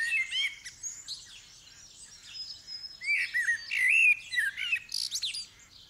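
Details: Dawn-chorus song of a common blackbird as the sky lightens: quieter opening twitters, then a loud run of rolling fluted notes peaking near the end, over constant high chirping from surrounding birds.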